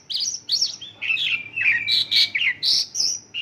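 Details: A Mongolian lark delivers isian lokalan, a song stuffed with local bird motifs, as a brief chain of bright chirps and flat whistles at varied pitches.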